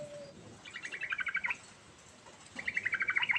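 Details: Two quick rolling phrases from a yellow-vented bulbul singing ngerol style. Each is a burst of fast, bubbling pulses that steps downward, with a short pause between them.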